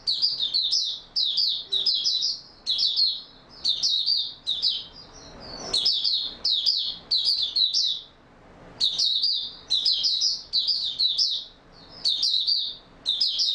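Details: Oriental white-eye singing in stable form, recorded 28 February 2022: rapid high twittering phrases of warbled, slurred notes, each burst lasting about a second, repeated in quick succession with brief pauses, little background noise.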